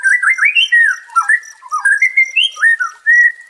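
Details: White-rumped shama song as therapy for a stressed bird: clear, melodious whistles rising and falling, with slurred dips and a final held whistled note.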